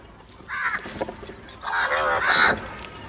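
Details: Crow calling, with the birds shown fighting over food; two loud, harsh, drawn-out caws with a nasal tone, the second longer and stronger, over faint background noise.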